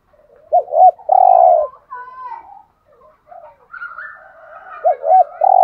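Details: Spotted dove (cu gáy) in 'hạp bổi' voice, cooing to excite caged males: a double hooked note and long coo, then chirps and a thin whistle from other birds before the phrase returns.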